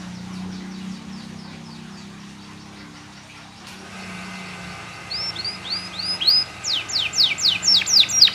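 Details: Canary song for teaching other canaries to sing: faint rapid notes at first, then after a brief pause a clear sequence of arched whistles and loud steeply falling slurs repeated several times a second.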